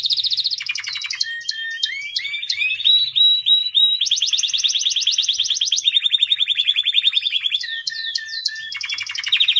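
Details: White canary delivering loud continuous song, alternating rapid pulsed trills with repeated swooping whistled notes and bright rolling tours, with no other sounds.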